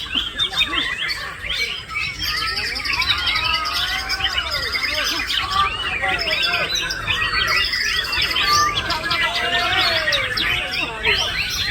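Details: Male white-rumped shama singing a dense, continuous run of varied chirps, trills and sweeping whistled notes, including mimicked parakeet phrases, with fast buzzy bursts high up and softer lower slurred notes throughout.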